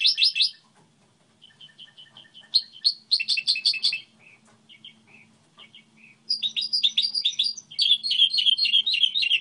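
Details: Goldfinch hybrid singing its song model: a loud opening twitter, evenly spaced soft notes, tinkling phrases with pauses, then a long lively burst of rapid chirping over a faint hum.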